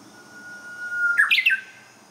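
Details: Song of a Japanese bush warbler, opening with a drawn-out level whistle lasting over a second and ending in a brisk burst of higher, slurred notes; quiet room-like hiss behind.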